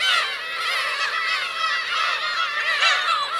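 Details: Black-tailed gull parents with chicks on the Kurosaki coast of Teuri Island, Hokkaido, 17 June 2021: a dense chorus of overlapping nasal, mewing calls, many birds calling at once without pause.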